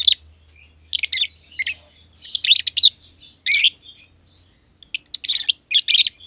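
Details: Two lovebirds, a green personata under a year old and a green pied personata, kept as companions in an aviary, chirping: bursts of shrill, high, rapid chattering chirps repeated roughly every half to one second with short silent gaps between.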